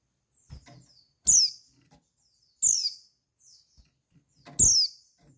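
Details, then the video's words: Female white-eye calling to arouse males' breeding urge: three strong, high whistles sliding downward, about one and a half seconds apart, with quiet twitters and low clicks. "Call Burung Pleci Betina Perangsang Birahi Pleci Jantan"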